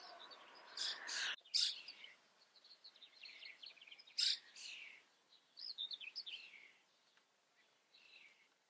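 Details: Common starling from the Eifel, Germany, giving scattered whistles, squeaks and chattering phrases at low volume, with gaps between bursts and quiet background.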